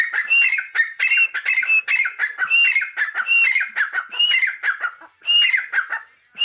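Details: An uncaged grey francolin calls loudly and without pause: harsh, grating notes mixed with a high, whistled rising phrase repeated about every half second.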